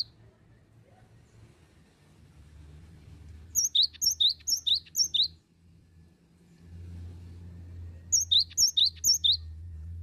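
A cinereous tit sings two bright, high phrases of four to five quick, ringing notes, separated by a few seconds, over a low steady hum.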